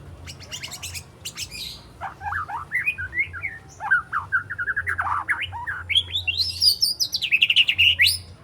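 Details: Juvenile spotted white-rumped shama, three months old, practising imitated song phrases with harsh scratchy notes and sharp shots: rapid high chips, then varied whistled slurs rising and falling, ending in bright high trills.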